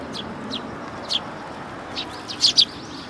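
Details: Sparrow with an injured head above the bill, recorded 20 August 2022 at a Tenmangu shrine in Japan; several short high chirps, some doubled, over faint steady background noise.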